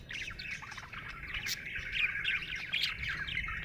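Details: Budgerigar in a happy mood, chirping nonstop in fast, irregular, twittering chatter with scratchy notes and occasional sharper squeaks, fairly even in loudness throughout.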